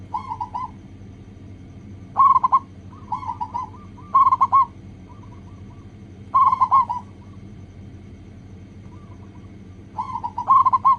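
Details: Lure recording of a local zebra dove singing to make other doves call fast; soft bubbling coo phrases alternate with louder clusters, several seconds apart, over low background hum.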